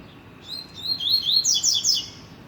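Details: Bright rusty-collared seedeater phrase, several clean high whistles climbing in pitch before breaking into fast, ringing warbled notes; quiet background.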